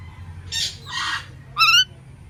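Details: Indian ringneck parakeet giving two hoarse, breathy squawks followed by one loud, ringing screech that rises then falls, against faint low background hum.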